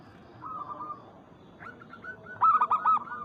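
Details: Zebra Dove, local and Bangkok crossbreed, calling a rival: a quiet stretch of distant cooing, then near the end a loud, tumbling series of fast arched coos.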